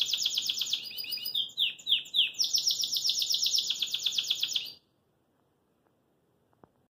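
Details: A caged Belgian canary, hopping in its cage, sings a fast, bright run of rolling trills, with a few slurred downward notes in the middle, then stops abruptly into silence.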